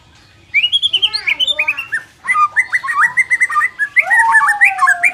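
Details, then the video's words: Energetic White-rumped shama singing, used to make a timid bird more competitive: fluid descending whistles, warbled runs, and a long sweeping lower whistle near the end, delivered loudly and without break. "suara ini dapat mengatasi murai batu kurang ngotot"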